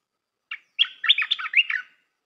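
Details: Red-whiskered bulbul song used for training young birds: a rapid burst of rich, warbling whistled notes after one short lead-in chirp. The notes jump up and down and run together for about a second, with no other sounds.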